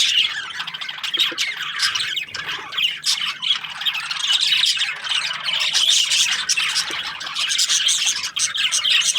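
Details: Breeding pairs of budgerigars in an aviary keep up a dense, unbroken chorus of squeaky warbling and short chirps, swelling slightly in the middle.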